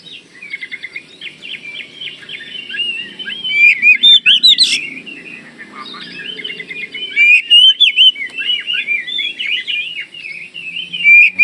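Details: Oriental magpie-robin from Kalimantan in full song, used to prompt other magpie-robins to answer: a rich run of whistled warbles, rapid trills and sharp high notes, continuous and varied.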